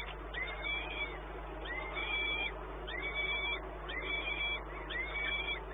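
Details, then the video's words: Repeated drawn-out, arching wails of a peregrine falcon at Płock, 1 May 2019, early afternoon, spaced a little over a second apart against a humming, noisy background. "Sokół wędrowny"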